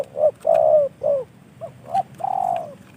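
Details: Spotted dove, a caged decoy bird, cooing in a quick sequence of short and long mellow notes, with the longest coo near the end.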